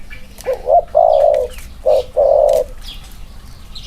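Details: Male spotted doves compared side by side, one with clipped wings. Two clear low phrases, each a short hiccuping note followed by a long steady hoarse coo, with faint clicks in the background.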